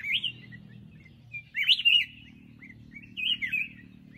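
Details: Black-crested bulbul delivering three separate bright, warbling phrases, each a quick rising-then-falling whistle, with quiet pauses between them.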